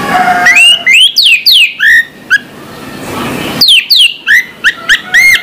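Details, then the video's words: Orange-headed thrush singing in the morning: clear whistled notes sliding up and down, delivered in quick bursts, a short pause, then a fresh run of varied rising and falling whistles. "suara anis merah plong pagi hari bikin sengat bunyi anis merah macet"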